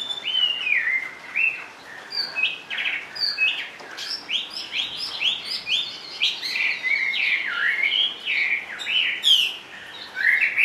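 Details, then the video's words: Caged Chinese hwamei, a large sleek bird singing while carried in its cage: a continuous run of loud, varied whistled phrases, with rising and falling slurred notes and quick repeated motifs, sung almost without pause. "HM 454 chơi mọi địa hình bộ to đẹp mướt sách lồng hót bệt dính cầu"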